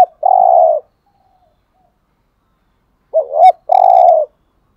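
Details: Spotted dove in the 'hạp' voice, used to excite kept males. A long low hoot trails off first. After a pause of over two seconds, a complete phrase follows: a jerky double coo and then a sustained steady note.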